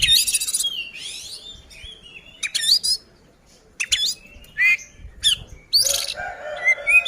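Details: Oriental magpie-robin in a fighting song meant to provoke rival birds; loud, varied bursts of harsh chattering, rising whistled slurs and sharp squawky notes, separated by short pauses.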